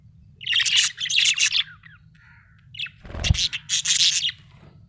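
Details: Budgerigar in a happy mood, chirping in dense scratchy chatter bursts with short soft nasal notes between and a brief thump; faint low hum throughout.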